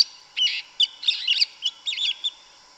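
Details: Yellow-legged thrush (sabiá-una) singing in the forest in Brazil, a forest-style 'canto mateiro' song: a quick run of varied warbled and slurred phrases, some buzzy, in short bursts over under three seconds.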